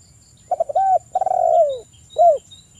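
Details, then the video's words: Spotted dove cooing from a lure recording for untrained and silent doves: a brief stutter, a rounded coo, a drawn-out croon slurring downward, and a clipped closing coo, over a faint steady high whine. "Pancingan tekukur agar bunyi dalam 1menit tekukur bahan dan macet ikut gacor"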